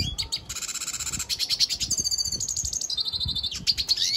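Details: Venezuelan goldfinch delivering a dense, rattling buzzy trill with layered high whistles, continuous and rhythmic, over faint low clicks.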